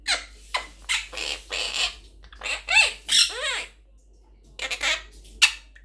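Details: Blue Quaker parrot (monk parakeet) kept as a pet, speaking: a run of raspy, word-like syllables mixed with harsh squawks, ending in a sharp shriek.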